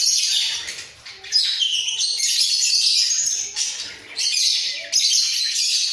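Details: A breeding-cage pair of budgerigars, heads bobbing, sing a sustained, hissy, chattering warble with a few short dips in loudness.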